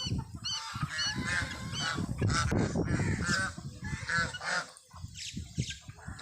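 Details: Geese with chicks; a rapid series of short honks with clear stacked harmonics, several per second at first, then scattered honks, against continuous low rumble.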